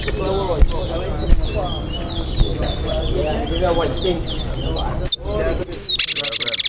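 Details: Chestnut-bellied seed finch (towa towa) in a Guyana bird-singing competition, singing quick, high, sweet twittering phrases over a steady murmur of people talking and counting aloud, with a sharper burst of notes near the end.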